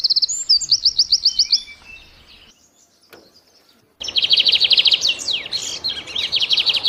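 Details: Fast high trill in the morning, a pause of near silence, then a bird resumes with dense rapid chirping trills.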